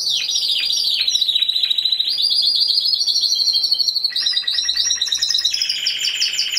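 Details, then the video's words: Timbrado Español canary singing in category C2 individual at a November 2015 competition: descending swooping notes, then a steady high rolling trill, followed by lower pulsed rattling tours changing pitch in steps. "Έκθεση Καναρινιών Φωνής Timbrado Español"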